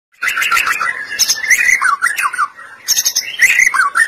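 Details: White-rumped shama singing loudly as a lure to make other shamas sing: a rapid, varied flow of rich whistled phrases, slurred warbles and sharp high chips, with a short pause before another burst.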